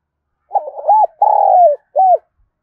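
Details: Spotted dove kept as a lure bird in Đồng Nai, Vietnam, cooing to provoke wild doves. A single clean phrase: a few quick stuttering low notes, a long vibrating coo that slides downward, then one short rounded coo.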